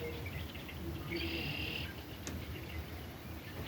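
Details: Red-winged blackbird in Russell County, Kansas, 4 March 2023, gives one brief, harsh, buzzy trill lasting under a second, set against a steady low rumble of wind and faint distant bird notes.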